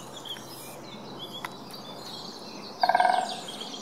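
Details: Great spotted woodpecker of subspecies Dendrocopos major pinetorum gives a quick chattering burst of about eight harsh, clipped notes in half a second, with faint distant bird chirps and steady background hiss.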